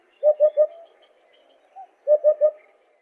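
A Eurasian hoopoe gives soft, low hollow hoots in a quick triple, 'oop-oop-oop', repeated after a short pause, with a faint single note between.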